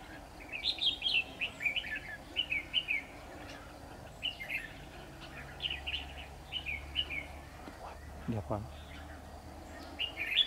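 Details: Red-whiskered bulbul used as a decoy while trapping, 10 October 2019, singing in competition: short warbled, rising-falling phrases repeated about every second, with a man's voice and a low rumble near the end.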